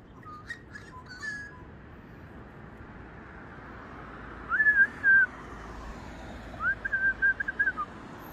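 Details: Magpies singing: two short phrases of clear, warbling whistles around the middle and end, each a rising then level run of fluted notes, over a faint low rumble of background noise.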